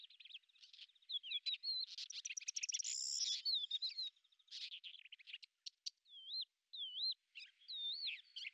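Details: Lesser grey shrike, a hunter of beetles able to hover in place, filmed in Azerbaijan: a varied, fast chattering run of scratchy notes and clear whistled, wavering phrases, with short pauses between bursts.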